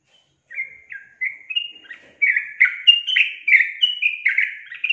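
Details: Yellow-vented bulbul singing: spaced whistled notes speed up into a rapid, bubbling sequence of short downslurred phrases, growing louder toward the end.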